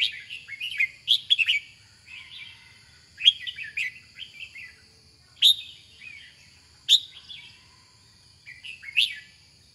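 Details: Red-whiskered bulbul singing short, bright warbled phrases in bursts every one to two seconds, some with sharp upswept notes, over a steady high-pitched whine in the background.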